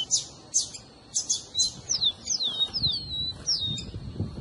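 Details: Rufous-collared sparrow singing, recorded to stimulate a pet bird: sharp high chips at first, then a run of falling slurred whistles and a longer level whistle, over quiet low rumble.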